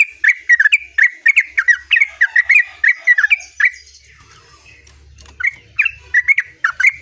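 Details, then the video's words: Yellow-vented bulbul singing in a continuous rolling style: rapid bubbly warbled notes, fast and unbroken for three seconds, a brief pause, then the chattering phrases resume. "terucuk Gacor ngerol"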